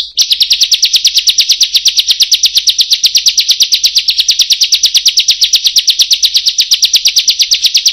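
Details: Long, relentless chain of grating kriek notes from a Bar-winged Prinia (ciblek), nearly three per second, loud and metronome-like for eight seconds without a break.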